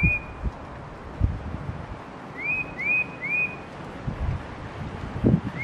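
Tufted titmouse giving clear, slurred whistles, a quick run of three arched notes about half a second apart, over low rumbling background noise.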